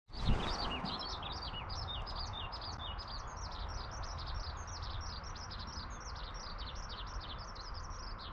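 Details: Eurasian skylark hovering in mid-air during the spring breeding season, singing to claim territory: a rapid, unbroken stream of high twittering and trilled notes, with a steady low rumble of background noise beneath.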